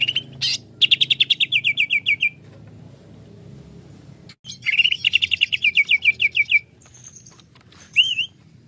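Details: Greater green leafbird, presented as quick to become excited and used to provoke others, delivering two long rattling runs of rapid chirps that step gradually lower. A brief whistled upslur follows near the end over a soft background hum.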